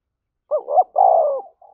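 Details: Spotted dove cooing to provoke a fight: a short two-part hooked coo followed by a longer sustained, slightly falling coo, low and mellow, in a quiet setting.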